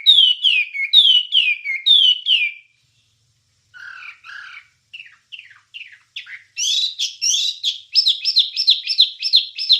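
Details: Wambie master song for training songbirds: bright, falling whistled phrases, then a short pause and scattered chirps. It ends with a rapid, even series of high repeated notes, about one per second or faster. Clean, with no background.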